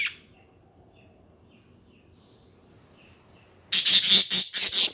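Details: Budgerigars chattering: faint soft chirps through a quiet stretch, then a loud burst of rapid harsh squawks and chatter over the final second.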